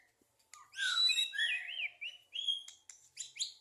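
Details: White-rumped shama, 2023, songbird competition context: a short loud phrase of high wavering whistles, followed by a few sharp upslurred chirps.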